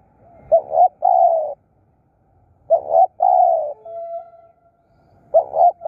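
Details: Spotted dove used as a decoy in Thai dove-luring, giving deep hollow coos in three phrases, each a quick double note followed by a longer falling coo, then a steady faint hum after the middle phrase.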